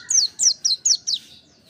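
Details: Mountain white-eye: five clear, high notes, each a quick downward slur, spaced evenly over about one second, then quiet.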